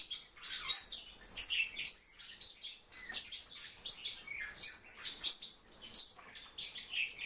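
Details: Captive silver-eared mesia with dense, rapid chirping: bright high notes tumbling over one another more than once a second, some dipping lower in pitch, forming a busy twittering chatter.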